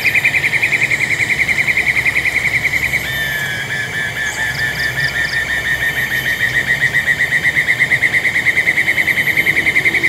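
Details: Black-and-yellow broadbill recorded at Taman TAR, Congkak, West Malaysia, in 2022, giving a long rapid trill of throbbing repeated notes that wavers and dips briefly near three seconds, then resumes strongly over faint background hum.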